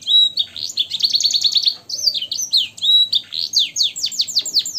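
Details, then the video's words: Singing canary with a blackthroat and sanger style repertoire, made for tutoring caged birds: a clear whistle opens quick rolling trills, then a brief pause before more trills and a cascade of descending, slurred high notes. "suara burung kenari gacor isian blackthroat dan sanger untuk masteran"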